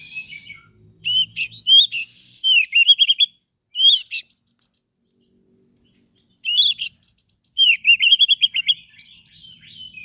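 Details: Oriental magpie-robin in full, lively song, used as a master recording with varied fill-in phrases to provoke stalled birds into singing: bursts of loud, varied whistled and chattering notes, some rising and slurred, a silent pause mid-way, then renewed rapid warbling phrases.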